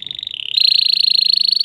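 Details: Excited male canary stimulating a female to mate produces an unbroken rolling trill, rapid pulses steady in pitch, stepping slightly higher midway and continuing strongly to the end.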